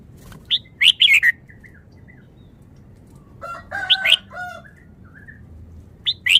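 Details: Red-whiskered bulbul kept in a cage, said to be from Vietnam, delivering quick rattling song: short clusters of high chirpy notes, a mid-clip run of lower whistled tones mixed with sharp chirps, and another burst closing the phrase.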